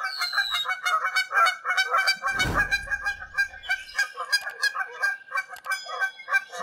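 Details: A flock of wild Canada geese flying high overhead somewhere in Canada honk nonstop: overlapping nasal two-note honks about three per second, with a brief low rumble or thump midway.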